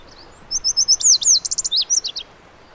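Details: Lazuli bunting (Passerina amoena): a short row of even high notes, then longer downslurred whistles and a quick cluster of buzzy notes, closing with several falling slurs; the whole phrase lasts under two seconds.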